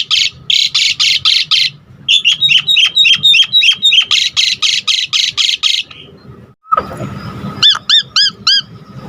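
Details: Asian pied starling singing hard, recorded to coax and train other birds: rapid repeated harsh rasping notes and chirps, a pause, then a different set of clear looping whistles near the end.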